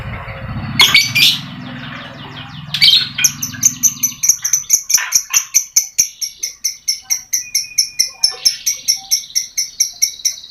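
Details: Lovebird singing as bait for lovebirds that will not sing: a couple of harsh squawks, then a long, steady series of high, clipped ticking notes, a little over two per second, sustained to the end.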